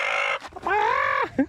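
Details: A chicken on a hot, drought-stricken North Carolina farm, being given water, gives a quick harsh squawk then a drawn-out nasal complaint ending in a short cluck; the farmer feels it fussed at him.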